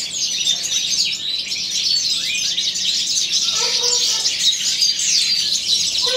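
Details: Goldfinches of the subspecies balcanica singing in an aviary as spring arrives: a dense, continuous twittering of high, quick chirps and tinkling trills that overlap throughout, with a few lower buzzy notes near the end.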